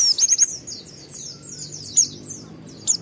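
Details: Caged white-eye in an excited, high-emotion state, singing in the wild-learned ngalas style, used to provoke other white-eyes into singing: thin, very high whistled chirps and quick descending slurs in short bursts, with a low hum beneath.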